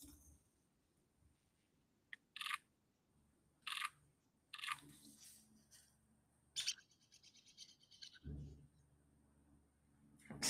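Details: A woodpecker calls from a little too far away during a live birding session: sharp, short notes spaced one to two seconds apart, over a faint, steady high hiss, with a low thump near the end.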